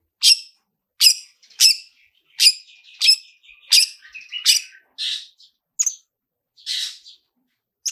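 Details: Long-tailed shrike "toet toet" prompting sound used to trigger singing, a series of sharp, emphatic chirps with short buzzy linking notes between them, spaced roughly every half second, ending in softer rasping notes.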